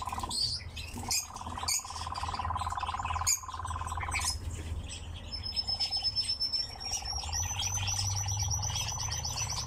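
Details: A nightjar in captivity churrs in pulsed bursts with several breaks. Loud sharp chirps and a long, thin high whistle in the second half come from other birds.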